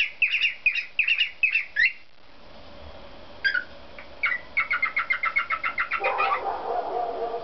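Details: Cockatiel parrot singing its little songs: bursts of sharp chirping notes, a pause, then a fast, even series of about a dozen clipped whistles that slides into a lower, fuller warble.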